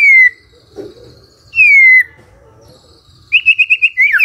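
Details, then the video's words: Magpie-robin in the morning, sung to coax a quiet bird into answering: two long, loud, slightly falling whistles, then a quick series of short high notes and a twisting final phrase. "Pancingan PAGI PAGI AGAR MURAI GACOR❗ murai diam pasti ikut NYAUT❗❗"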